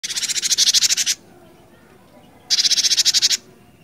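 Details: Cinereous tit, a captive singer in full voice, in the song styles called ngerol and ngeplong, played as a lure for other birds. Two bursts of about a dozen rapid, loud, buzzy repeated notes, each lasting about a second, separated by a pause.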